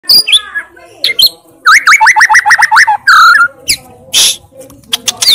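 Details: White-rumped shama in full song, delivering loud 'tembakan' bursts: scattered high whistles, then a fast run of about ten sharp repeated notes, a short whistled phrase and some harsh noisy bursts.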